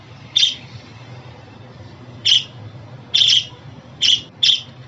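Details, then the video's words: Pet budgerigar calls, played to cheer up and settle new or young budgies of either sex at home: five short, sharp, high chirps, spaced irregularly roughly a second apart, over a faint low hum. "Muhabbet Kuşu Sesi, Kuş Sesi! Muhabbet kuşu ötüşü, muhabbet kuşu çağırma sesleri!"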